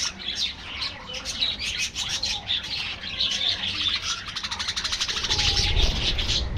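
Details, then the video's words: Many budgerigars kept in an aviary colony twittering at once: bright, warbling chirps and quick rattled notes that build louder toward the end. "budgies bird"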